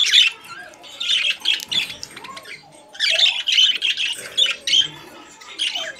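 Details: Two long rambling bouts of high, buzzy chattering from budgies in a cage, split by a quieter gap of softer twitters.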